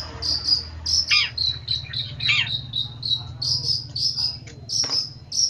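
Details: Long-tailed shrike singing in a bird-training recording: a string of high piercing whistles, several per second, broken by a few harsh downward squawks, over low hum.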